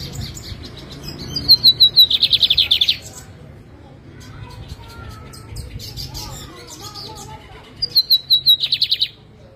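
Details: A caged lined seedeater in Jataúba, Pernambuco, Brazil, on a Friday afternoon in November, preparing for a morning contest. It sings two matching phrases about six seconds apart, each a short whistled start followed by a quick string of buzzy notes.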